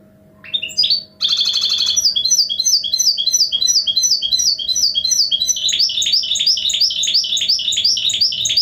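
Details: Continuous rolling twitter from a goldfinch hybrid: a short burst, a dense buzzy rattle, then a long sequence of evenly repeated chirping notes over a steady faint electrical hum.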